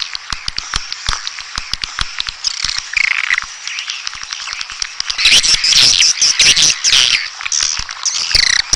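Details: Red-nest swiftlet (walet sarang merah) calling sound: sparse sharp clicks and soft chirps at first, then a loud, dense chorus of shrill overlapping twitters.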